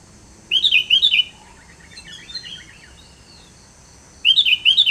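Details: Sooty-headed bulbul giving short bubbly whistled phrases, a quick burst of four notes, a pause with faint softer chatter, then the same burst repeated.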